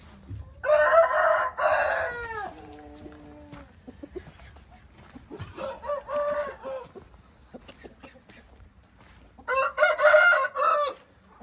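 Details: Hint rooster crows three times, each a hoarse, drawn-out cry. The first ends in a long, lower, wavering trail. Softer clucks and scratchy sounds come between the crows.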